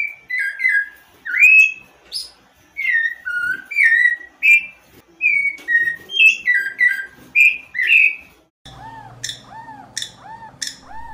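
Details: Rufous-bellied Thrush, a Brazilian songbird, singing a steady run of rich fluted whistled phrases, each a few notes rising and falling, repeated about every second; after eight seconds a different buzzy, arching series of calls takes over.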